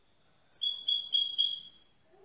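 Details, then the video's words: Young grey-blue goldfinch mule, a hybrid, singing a bright, high twittering phrase of layered, slightly buzzy notes lasting just over a second, with faint lower chirps right after. "Jeune mulet chardonneret gris bleu"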